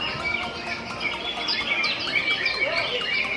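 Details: Caged male Greater Green Leafbirds compete in a Cucak hijau class at a Latber bird-song practice contest on 22/2/2022, judged on duration, rhythm, song and volume. Several birds sing at once in dense, overlapping, high whistled and chattering phrases over a steady background hum.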